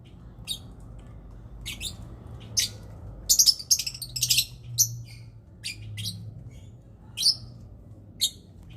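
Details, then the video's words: Lovebird calling during mating: short, sharp, high chirps in scattered bursts, some in quick doubles or clusters around the middle, with a faint low background hum. "SUARA LOVEBIRD KAWIN ATAU REPRODUKSI"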